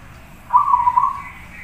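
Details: Zebra dove (perkutut), described as a lively singer, giving one soft rolling cooed phrase of about 0.7 seconds, a low trilled coo that wavers slightly in pitch, against a quiet background hum.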